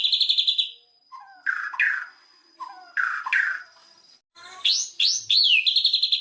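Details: White-rumped shama song as a lure to trigger singing: a high fast trill, then pairs of loud slurred whistles separated by pauses, ending with looping high notes and another trill.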